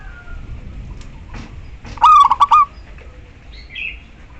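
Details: Female zebra dove of a local strain calling a male, as a lure to make silent males sing: a few soft thumps, then one quick, rippling coo phrase of about five notes, followed by a faint higher chirp.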